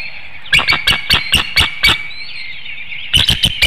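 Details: Bald eagle at a nest webcam in Hanover, Pennsylvania, 7:02 AM on 25 March 2019, calling for its mate to take over incubating the eggs before a nest exchange: sharp, high, chattering notes about four per second, a pause, then another quick burst.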